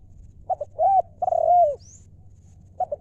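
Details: Spotted dove cooing: a few brief notes leading into two drawn-out, bowed coos, with a steady low hum underneath.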